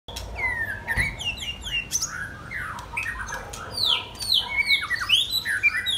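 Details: Young white-rumped shamas, one 10 months old and one 12 months old, singing: varied, loud whistled phrases, rising and falling slurs and sharp chips tumbling over each other without a fixed rhythm, with an occasional click.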